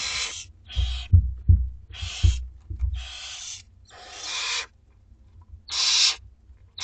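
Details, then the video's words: Two-week-old Barn Owlets at feeding time in a school garden nest give harsh, hissing snore-like rasps in bursts of about half a second to a second, with low thumps and bumps between them. "Dinner time for 2 week-old Barn Owlets!"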